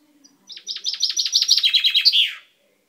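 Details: Chaffinch kept as a pet, recorded 10/05/12 with a freshly purple beak: a single song phrase, a quick cascade of about fifteen repeated notes falling in pitch, finishing with an emphatic downward flourish.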